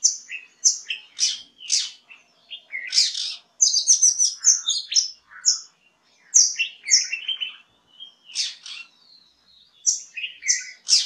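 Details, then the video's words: Oriental Magpie-Robin from India sings a rich, varied string of clear whistles, sharp upslurs and scratchy chattering notes, delivered in quick bursts with short pauses between phrases. "Oriental Magpie Robin"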